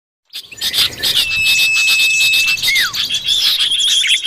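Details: Common iora lure call, recorded in the wild: a long, level, thin whistle held for over a second, ending in a quick downward slurred note, set against a dense background of high twittering and chirping from many birds.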